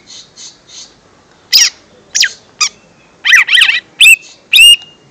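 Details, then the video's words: Lesser green leafbird song played as a lure for young birds; soft buzzy notes, then loud sharp sweeping chips and whistled phrases in separated bursts over five seconds. "Suara Pancingan Cucak Ijo Mini/Cimini Bakalan"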